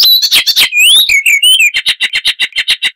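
Icterine warbler song: harsh, scratchy notes and sliding high whistles, then a fast run of about eight repeated chattering notes per second.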